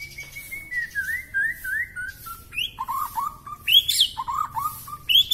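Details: Long-tailed white-rumped shama singing gacor in mutah isian style, an outpouring of filler phrases: a series of clear whistled notes, each sliding downward, repeated in step-down runs, then sharper high chips breaking in near the end.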